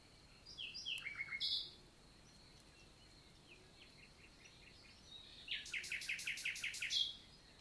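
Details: Common nightingale singing on a summer morning, 11 June 2023, in the countryside forest of the Célé valley, Lot, southern France: varied phrases with a burst of rapid repeated notes near the end, plus a brief earlier trill and faint distant birds.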